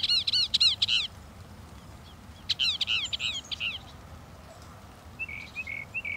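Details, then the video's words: A Northern mockingbird delivers bursts of swift, sweeping high notes, a repeated series, a pause, then another dense burst, ending with a few softer, lower slurred whistles. "The song of the Northern Mockingbird"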